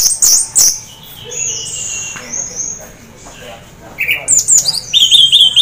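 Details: Song of an orange-headed thrush half in breeding condition, meant to get other thrushes singing: sharp high notes, sustained whistles, then rising chattered phrases and repeated whistled notes at the close.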